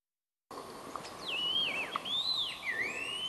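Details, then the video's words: At Eaglenest, Arunachal Pradesh, India, a scaly laughingthrush gives a clear, wavering whistle that slides up and down for about two seconds, over a faint steady background hiss. "Laughingthrush Scaly"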